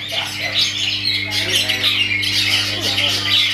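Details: Kept long-tailed shrike producing a rasping, squawky song of harsh, noisy notes broken by thin high whistles, with a low steady hum underneath.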